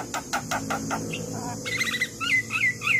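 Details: Javan myna in full song, used as a master recording to train lazy young mynas: a run of sharp broadband clicks, then buzzy chattering notes and short whistled phrases rising and falling.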